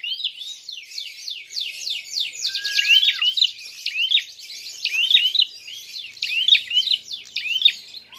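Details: Prinia fighting call used to provoke other birds: dense rapid buzzy ticking series throughout, broken by sharp high twisting chirps roughly every second, with a brief lower whistled note.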